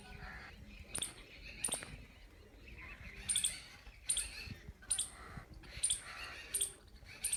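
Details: Jungle babbler, called seven brothers locally, giving short harsh, rasping notes repeated roughly every three-quarters of a second, fairly faint over a low background rumble.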